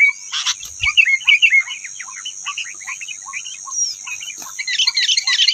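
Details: Song of a rufous-tailed robin facing off against caged birds; a loud opening note, then a steady run of short clipped chirps, ending in a denser high twitter, with a thin continuous whine.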